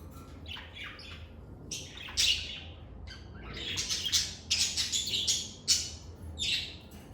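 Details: Lovebirds recorded in a calm, stress-free setting, giving cheerful calls: clusters of harsh, high chirps and squawky notes in irregular bursts, growing busier toward the end over a faint low hum.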